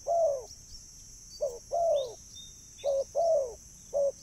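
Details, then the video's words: Spotted dove luring call: a long low falling coo, then two more pairs of a short note and a drawn-out descending note, about 1.4 seconds apart. A constant high whine and a faint chirp are also heard. "burung tekukur suara mp3 💯 ampuh dan jernih untuk memanggil burung"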